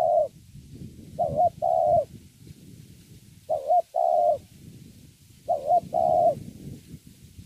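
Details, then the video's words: Spotted dove, a young wild-caught bird, cooing in thổ style: three two-part phrases, a quick bent note followed by a longer even coo, spaced about two seconds apart, with low rustling and handling noise underneath. "Thổ tốt tiếng.(chim tơ)"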